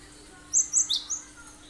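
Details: Cinereous tit in lively 'tembakan' song, played as a lure for other songbirds: a brisk run of three piercing high notes, the third dipping lower, then a softer fourth note trailing after, over a low steady hum.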